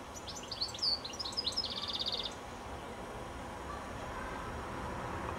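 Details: High on a telephone wire before sunset, a goldfinch sings a short lively phrase of tinkling twitters that ends in a quick buzzing trill, then falls silent with only soft background noise remaining.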